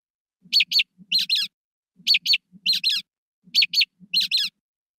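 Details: A mockingbird mimics other birds: two sharp notes copying an American robin's alarm call, then two duller notes copying the rubber-ducky call of a brown-headed nuthatch, the set repeated about every one and a half seconds.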